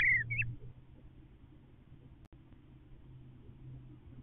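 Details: A pair of Eastern Bluebirds communicate around their nest as the male rearranges it inside and the female waits outside, demanding he come out; one soft, falling whistled note and a quick higher note, then a low steady hum.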